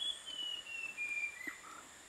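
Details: Visayan shama noted on a birding trip: a thin whistled note sliding slowly downward, followed by a brief lower whistle near the end, over a steady high hiss and faint background noise.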